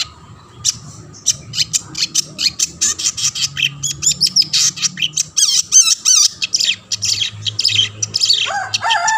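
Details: Vigorous long-tailed shrike song used to draw other shrikes into singing: a rapid run of clipped chirps and wavering whistled notes that speeds into a dense chatter, ending in lower warbled notes.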